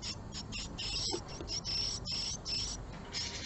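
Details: Japanese tits at a nest box on the morning of 20 March 2022, a female visiting the resident male. Sharp high squeaky notes come in quick bursts, some slightly drawn out, over dull low noise.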